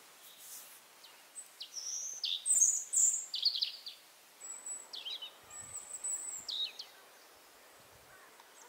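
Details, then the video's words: Song of a European robin, Berezinsky Reserve, Belarus, end of April: high, clear whistled notes and fast silvery trills in a varied phrase of about four seconds, followed by scattered softer notes; quiet natural background. "Зарянка (Erithacus rubecula)"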